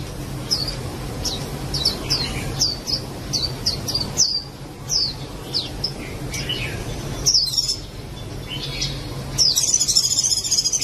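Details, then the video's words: White-eye singing: a lively run of thin, high chirps and short downslurred tweets, repeated about twice a second with brief pauses, over a low steady background hum. "SUARA BURUNG PLECI"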